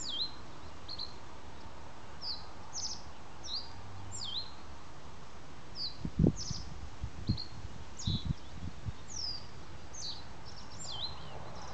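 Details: Male common reed bunting display singing in reed lands: short high chirpy notes, each dropping slightly, repeated every second or so in loose runs over steady low rumbling background noise with a few soft knocks.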